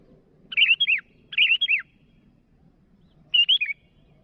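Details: Sooty-headed bulbul calling rivals: three crisp phrases of rich, rolling whistled notes, the first two close together and the third after a two-second pause, over quiet low background noise.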